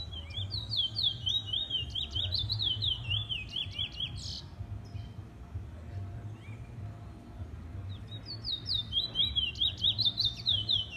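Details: Trinidad bullfinch, a first-year black male, giving fast series of clear whistled up-and-down notes in two bursts separated by a quieter stretch, over steady low hum and faint chatter.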